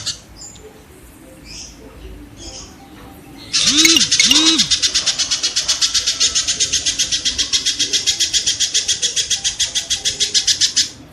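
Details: Kingfisher, used to train songbirds to copy rapid-fire calls: faint background sounds, then a long unbroken series of harsh, buzzy notes at about four per second, with a couple of low swooping sounds near the start.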